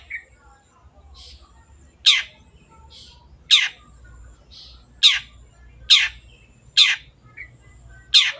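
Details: Long-tailed shrike singing keenly, offered as a lure for birds that have gone quiet: a series of loud, rasping notes less than a second apart, with soft buzzy notes before them.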